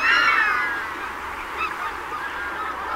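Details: Greater white-fronted goose, a rare winter visitor, recorded at Donggang Township, Taiwan, on 19 December 2021. A loud harmonic yelping call opens the recording, followed by fainter overlapping yelps from other geese over steady background noise.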